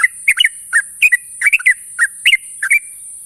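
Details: Morning calls of a sooty-headed bulbul summoning companions: lively fluty phrases of two or three quick notes, one dipping, another lifting, repeated without pause against a steady high-pitched hiss.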